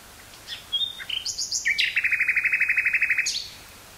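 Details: Song of a common nightingale recorded 18 May 1983 in woodland near Burgh-Haamstede, Netherlands: varied rising and falling whistles open the phrase, then a fast even rattle of about fifteen notes, ending with a high note.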